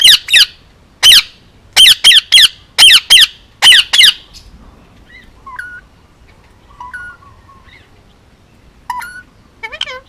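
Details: Loud, harsh, rasping squawks from a male Indian ringneck parakeet, hand-raised in Hawaii, repeated about ten times over four seconds, followed by soft wavering, speech-like murmured notes.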